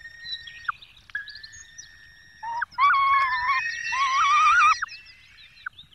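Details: Peregrine falcons at a nest in the Barycz Valley, Poland, on 5 May 2022, as the male brings a small bird and the female feeds the chicks. Harmonic, wailing calls with bent notes swell into a loud, drawn-out series midway.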